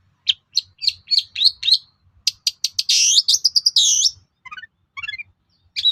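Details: Long-tailed shrike singing to trigger responses from other shrikes: quick high chips, a loud harsh buzzy burst, then soft descending twittering phrases and a final sharp note.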